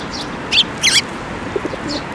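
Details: At a Tenmangū shrine on 7 May 2024, Eurasian tree sparrows, the first fledgling of the year among them, gather to be fed. Two loud, harsh, buzzy chirps close together, then softer faint notes.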